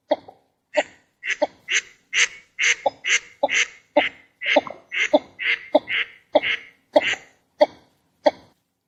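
Northern Shoveler giving a steady run of harsh, nasal quacking notes, about two each second and slightly uneven, with no other sounds behind.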